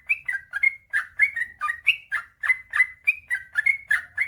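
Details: Rapid series of chirpy, gurgling whistles from a sooty-headed bulbul, meant to prompt idle birds into long singing bouts, with notes coming several times a second.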